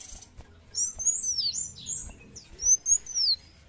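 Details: Sunbird song in lively 'gacor' form: a few high, sweeping whistled phrases, slurring down and up, separated by short pauses, with a quiet background hum.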